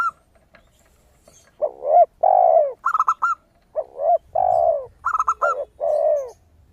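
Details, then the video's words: Lure recording of a zebra dove (perkutut) with a 'suara kristal' voice: clusters of short, clear, high clipped notes interleaved with the longer, deep, falling coos of a spotted dove (tekukur), in a quiet setting. "PERKUTUT GACOR suara kristal - AMPUH UNTUK PANCINGAN"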